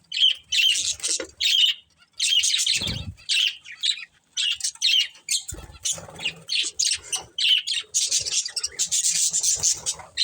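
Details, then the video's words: Pair of breeding budgerigars chirping and squawking in rapid, repeated bursts of sharp, high notes, nearly continuous chatter over ten seconds, with occasional low knocks and rustles. "Cute Budgies Chirping Sounds"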